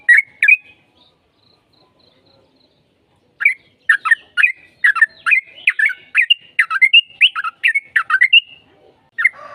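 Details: Sooty-headed bulbul song as a lure to get a bird answering: two opening notes, a quiet gap of almost three seconds, then a long lively run of bubbly chirps lasting about five seconds.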